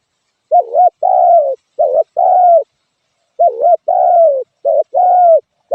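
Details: Spotted dove cooing in two-part phrases: a short dipping note followed by a longer, slightly falling coo. The phrases are repeated in quick pairs with a pause mid-clip. No other sounds are audible.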